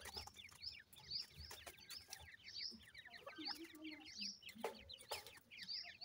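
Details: A group of francolin chicks feeding, peeping steadily in high, short upslurred notes that repeat rapidly and overlap, with dry clicks and faint low background noise.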